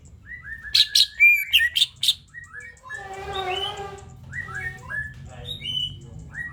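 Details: Greater green leafbird song used as a lure to draw other birds into singing: loud clustered high chirps and slurred whistles, then a buzzy harmonic rasping passage, followed by scattered varied whistled notes over faint low hum.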